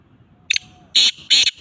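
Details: An owner's black francolin, recorded 21 December 2022 in very cold, rainy weather, gives three harsh, grating, high notes, one short then two longer, about half a second apart, against a quiet background.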